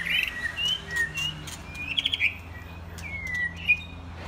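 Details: Young white-rumped shamas, mostly after their first molt, playing together; clear whistled notes around high pitch, some rising and falling, given in short separate phrases with pauses, over a faint low background hum.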